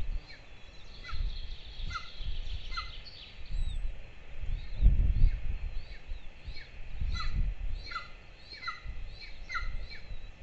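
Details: Two golden eagle chicks at a camera-watched nest in Lahemaa, Estonia, 22 June 2024, during breakfast feeding: thin, downward-slurred chirps repeated in quick series, over high twittering from other birds and low rumbling wind noise.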